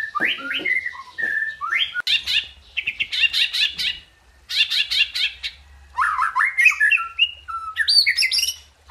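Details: White-rumped shama (murai batu) delivering a busy, varied song: clear whistled notes, choppy rapid ticking bursts repeated several times, then tumbling rising and falling whistles, with short pauses between phrases.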